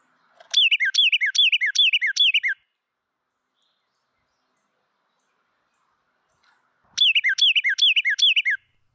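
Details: Carolina wren, likely a male, in an eastern US backyard sings two loud bursts of rapid, rolling whistled tea-kettle phrases, each about five repeated descending notes, separated by a few seconds of quiet; song defends territory and attracts females.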